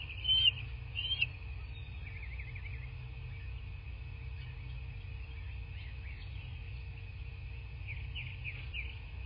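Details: Nest-cam sound from a bald eagle nest in southwest Florida, 17 March 2024, morning: two loud high squeals open, then a faint wavering chatter, quiet hum, and a quick run of piping notes near the end.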